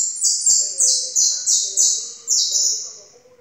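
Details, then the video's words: Jilguero amarillo singing: a run of bright, high whistled notes, each sliding downward, delivered in quick succession about every third of a second and fading toward the end, over a faint low tonal hum. "JILGUERO - amarillo"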